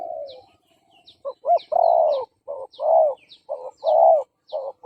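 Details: Spotted dove coos from a decoy bird, meant to lure and provoke fighting males: a soft fading coo, then a run of rounded low notes alternating short and long, with sparse high chirps from other birds.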